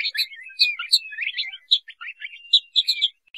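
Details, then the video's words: Crested partridge (Rollulus rouloul, roul-roul) calling: a quick run of high, thin chirps and short whistled notes, clustered in bursts with brief pauses, in a quiet indoor setting. "Crested partridge Calling Sound"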